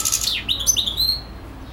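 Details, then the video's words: A short burst from a European goldfinch that sings nonstop for hours: quick, high, sweeping twittered notes sliding down and up, ending in a thin held tone. "European goldfinch singing/song"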